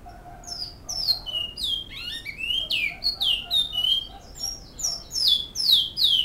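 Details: Great-billed seed finch singing in Canoas, song style known as Flauta: a lively run of clear whistled notes, many sliding sharply downward, given in quick varied phrases about twice a second over a quiet background.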